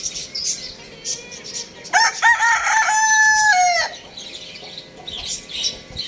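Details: One loud crow from a rooster: choppy opening syllables, then a sustained, steady, strongly harmonic tone that bends downward as it ends, about two seconds in all. Thin high chirping from other small birds sounds before and after.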